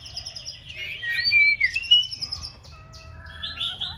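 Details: Six-month-old female white-rumped shama practising its song: a run of varied clear whistles, slurred rising and falling phrases with a few thin high notes, brief and fluent, over a faint low hum.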